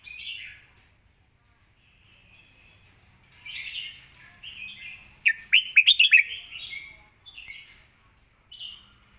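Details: Red-whiskered bulbul singing with good phrasing and a clear, quick voice: short warbled notes, then a loud burst of rapid sweeping whistled notes near the middle, and softer chattering phrases before and after.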